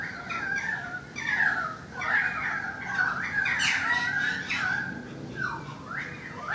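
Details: Currawong on a balcony singing gurgling, looping whistles that rise and fall, phrases roughly every second, with a few harsher notes mixed in.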